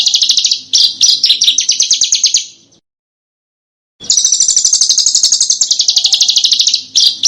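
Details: Rapid high-pitched chattering trills of a small bird, recorded as master material for cage birds in contests to imitate; long rattling phrases of quick repeated notes separated by a silent gap of about a second.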